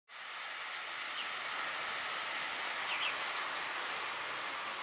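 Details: A grey wagtail (Motacilla cinerea), recorded 6 January 2015, gives a quick run of about nine sharp, very high, metallic ticks, then a few scattered fainter notes over a steady hiss.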